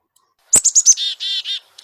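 Black-capped Chickadee giving its namesake chick-a-dee-dee call: a sharp click and a few high, quick notes, then four husky, buzzy dee notes.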